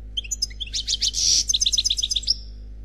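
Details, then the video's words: European goldfinch, described as single, in Khalwi song: scattered high chips building into a hissing buzz, followed by an even series of bright repeated notes ending in a rising slur; low hum throughout. "Chant Chardonneret Khalwi Célebataire"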